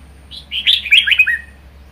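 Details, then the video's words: Caged pet red-whiskered bulbul singing in the vigorous 'ché' style: one loud, rich, warbled phrase of quick whistled notes lasting about a second, rising and falling, over a faint low hum. "Chào mào hót hay | chào mào ché hay | chào mào siêu ché"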